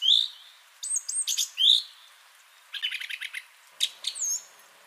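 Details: Song thrush singing on 30 January 2021: varied high, whistled and chattering phrases in separate bursts, some notes sliding, with short pauses between them.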